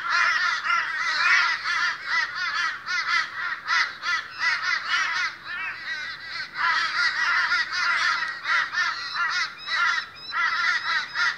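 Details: At a boisterous morning meeting, many Australian crows caw at once, harsh rasping calls pulsing irregularly with short dips, forming a steady wall of flock noise over a low hum.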